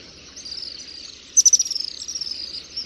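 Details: Common swift giving a thin, shrill, trilled scream held high and level for nearly three seconds, with a louder buzzy burst midway and faint background hiss.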